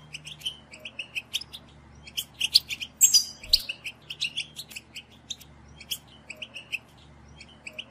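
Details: European goldfinch song aimed at stimulating captive birds: quiet, separated chirps about twice a second, with a brief louder burst of twittering in the middle, over a faint low hum.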